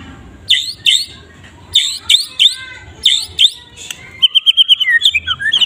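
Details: Murai batu medan (white-rumped shama) giving sharp, ringing down-slurred calls in pairs, then a rapid chattering trill of high notes; morning song presented as training material for other birds.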